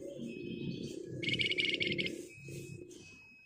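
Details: An active Flamboyan bird with a close, dense rattling song, used as a lure for other birds: a rapid, high buzzy trill of about a second, with a steady thin whistle and low humming sounds beneath.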